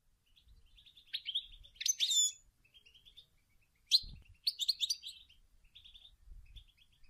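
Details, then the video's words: A female European goldfinch sings and calls, used to stimulate males to sing: bright, tinkling twitters and buzzy, liquid trills in quick bursts, with short chirping calls between, high-pitched and lively throughout. "Chant et des appels incroyable d une femelle chardonneret pour stumuler les males à chanter"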